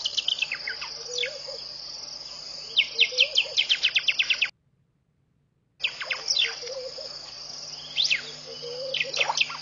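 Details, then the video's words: Early-morning birdsong at a pond in Mashatu Game Reserve, Botswana, 5:00 am, January 2014: bursts of rapid descending whistled notes and soft low warbles against a constant high insect buzz, with a brief silent gap. "Bird's Singing at Pete's Pond this Morning"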